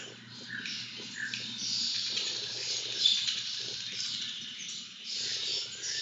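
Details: Lesser kestrels at a feeding, giving harsh, hissing high-pitched begging bursts that rise and fall irregularly over a steady low hum.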